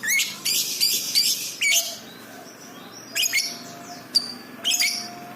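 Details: Lovebird in full song, recorded to train pet birds: loud, rasping high chirps in irregular clusters with quiet gaps, and faint steady lower whistles in the background.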